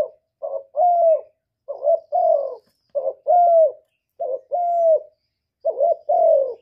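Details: Spotted dove calling in the 'một hậu ròng' (single-ending) style: five mellow, low hoarse coo phrases, each a short double note followed by a longer drawn-out coo, repeated roughly every 1.3 seconds in quiet surroundings.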